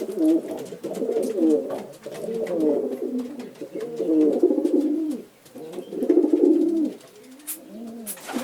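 Pigeons coo in low, throaty, rolling phrases, several birds overlapping in a near-continuous murmur with brief pauses and a few soft clicks.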